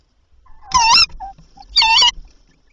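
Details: Tawny owl at a nest with three chicks at night, where the male had delivered a mouse and the female later returned with another; two harsh, nasal, harmonic-rich calls about a second apart, each lasting about a third of a second, with faint soft notes between.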